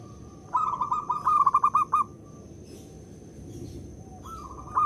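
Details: Local zebra dove calling as a lure to make other zebra doves start cooing: a rolling, bubbling coo of quick repeated notes, then a short second phrase, over a faint steady high whine and low background rumble.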